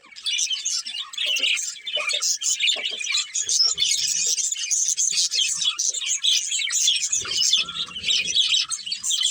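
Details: Chirping from a breeding pair of budgies: long, continuous, high warbling chatter full of squeaks and clicks, with soft lower taps scattered throughout.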